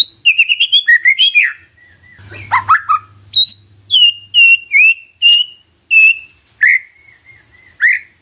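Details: White-rumped shama lure song aimed at provoking an answer: a rapid series of chattering notes, then loud whistled phrases repeated roughly every half second to second, some rising, some falling.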